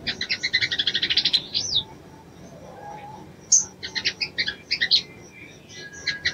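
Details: Female crimson sunbird calling to arouse a male: fast bursts of high, thin chirps in rapid ticking series, a short upslurred whistle near two seconds, then more clipped chirp runs after a quiet gap.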